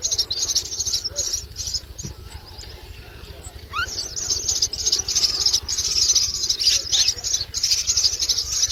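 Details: Common myna chicks fed a lizard by an adult beg with continuous, strong, grating high-pitched bursts, briefly interrupted by a quick rising squeal near four seconds, then intensifying again.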